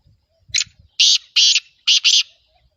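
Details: Black francolin (kala teetar), home-bred, giving five loud, harsh, rasping bursts over about two seconds: a short opening note, then four longer grating notes in two close pairs, with faint low thumps just before.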